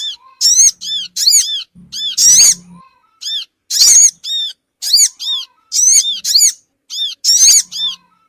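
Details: Lure call of the Sogon bird for attracting small birds: piercing, squeaky arched notes, mostly in pairs and triplets, coming in quick irregular bursts, with a low electrical hum beneath.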